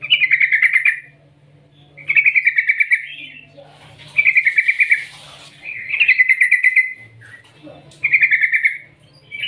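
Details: Yellow-vented bulbul lure call used to prompt other bulbuls to sing: bright, bubbly, long rolling phrases about a second long, repeated roughly every two seconds, over a faint low hum.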